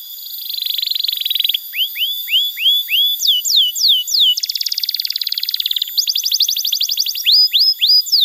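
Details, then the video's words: Canary tutor song used to train young canaries and to prompt silent birds into singing: a buzzy high trill, then upward-swept whistles, downward-slurred notes, a rapid rattling trill and more falling slurs, all high-pitched. "Masteran Kenari PAUD & Pancingan Kenari MACET BUNYI‼️ Terapi AMPUH Bikin Kenari GACOR"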